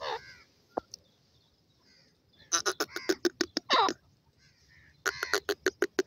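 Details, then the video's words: Grey francolin calling: a short, faint harmonic note, then two bursts of rapid, sharp, harmonic notes, about eight in the first burst and seven in the second, with low background rumble between. "partridge voice,gray francolik sound,titet awaz"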